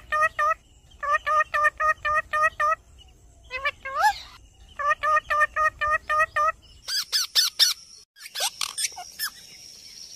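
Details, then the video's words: A pet Alexandrine parakeet gives rapid runs of loud, ringing, nasal notes in quick bursts, then harsher rasping screeches near the end. "Tote Ki Awaaz"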